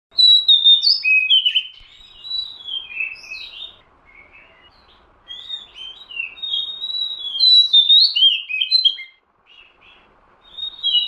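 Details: Oriental magpie-robin recorded for use as a lure: loud, varied whistled phrases, sweeping and warbling up and down, delivered in quick bursts with short pauses, with faint low hum underneath.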